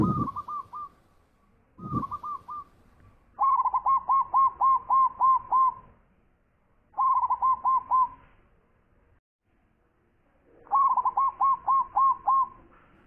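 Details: Loud-voiced zebra dove delivering several bursts of rapid hooked coos, each burst of five to nine clipped mid-pitched notes, separated by short pauses; a couple of dull thumps near the start.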